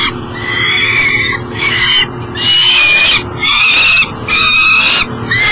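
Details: Morning, July 2012, Elk River, Minnesota: a peregrine falcon that cannot get into the nest box with breakfast gives longer, scratchy wailing calls, gently falling in pitch, spaced a second or two apart.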